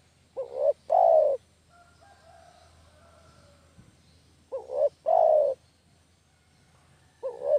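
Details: Spotted dove (derkuku kampung) calling, recorded as a trapping lure: low mellow coos repeated roughly every four seconds, each a short upward note then a sustained purring note, with a third phrase starting at the end.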